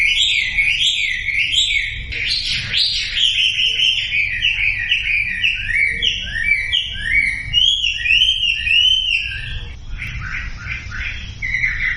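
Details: Twelve seconds of Sumatran leafbird song meant to trigger silent birds to sing: dense, varied whistles and chattering slurs pour out without pause, with mimic-like shifts in pitch and some short repeated notes near the end.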